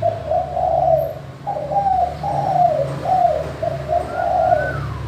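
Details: Spotted dove giving its crystal-clear manggung call as a lure for reluctant doves: a long coo, then a run of five rolling low coo notes, with a thin falling whistle near the end and low hum throughout.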